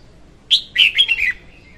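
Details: Female red-whiskered bulbul singing, a lure for trapping birds; one quick bright phrase of four or five liquid notes, the first sharp and high, the rest sliding down.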